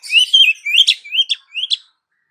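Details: Female Oriental magpie-robin calling to a male, used as a lure: a short phrase of rising, slurred whistles, each followed by a harsh clipped note, four elements in quick succession.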